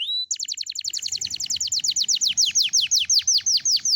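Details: Young canary in full morning song, played to encourage other young canaries: a brief flat whistle, then a long loud series of high downslurred notes, about six per second, gradually slowing and spreading apart.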